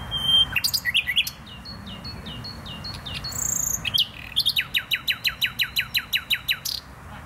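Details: Nightingale singing in the Botanical Garden in Poznań: varied phrases of short whistles and high chirps, a pure high whistle, then a fast series of about fifteen repeated downward-sweeping notes, roughly four per second.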